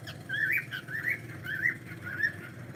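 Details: Pet cockatiel during a live stream chattering a rapid string of rising-and-falling chirps, about six notes in under three seconds, with a low hum beneath.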